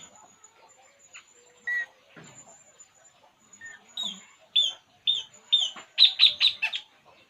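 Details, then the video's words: Puling bird, relaxed, giving scattered soft notes that build into a run of loud, clipped high chirps repeated about every half second near the end, with faint background chatter earlier. "burung puling. Inilah yg dilakukannya saat santay"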